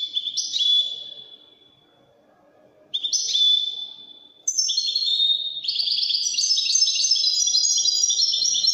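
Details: European goldfinch, Widani goldfinch, opening with clear whistled notes and short calls, then breaking into a continuous, rich, tinkling twitter with buzzy trills.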